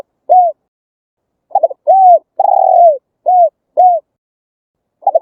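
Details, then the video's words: Spotted dove song used as a lure for trapping and training wild doves, Vietnamese countryside bird: low, mellow coos in short phrases, a double stuttered coo followed by smooth falling coos and one longer drawn-out coo, clean background. "Tiếng chim cu gáy hay, đủ bài, bẫy loa hiệu quả, chim bổi nghe nhanh về, luyện bổi nhanh gáy nhất"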